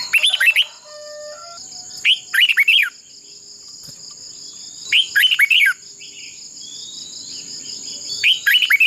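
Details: Red-whiskered bulbul decoy bird singing in a contest-style duel, used to train and spur other bulbuls to sing; short bursts of bright, slurred warbling notes about every three seconds over a steady high-pitched background whine.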